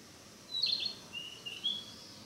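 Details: Narcissus flycatcher practising its song in the mountains: a brief high slurred whistle, then two thin, quieter rising whistled notes, set against faint steady background hiss.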